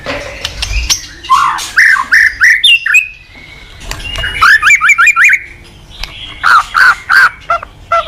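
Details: White-rumped shama master song used to train other shamas: rapid series of slurred whistles and a fast descending trill of repeated sweeps, then more looping notes.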